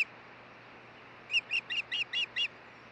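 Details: On the Hellgate nest in Montana, June 2013, an osprey changing over with its mate gives six shrill, slurred whistled chirps in just over a second, following a quiet stretch with a faint hum.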